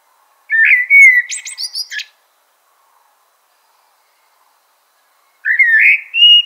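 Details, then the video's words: Eurasian blackbird with a fluted warbling phrase that ends in a burst of high, scratchy twitters, then a pause of about three seconds and a second rising whistled phrase. "Eurasian Blackbird Call Song Sound"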